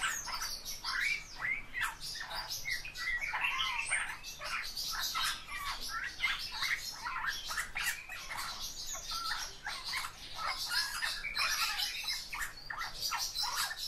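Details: Eurasian bullfinch (Pyrrhula pyrrhula), song: a dense, scratchy warble of creaky chirps and squeaky notes.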